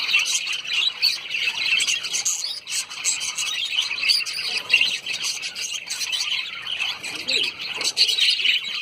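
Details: Many lovebirds (Agapornis) in Sayaji Baug, a garden in Vadodara, Gujarat, India, keep up an unbroken shrill twittering chorus of overlapping high chirps, the loudness rising and falling in waves.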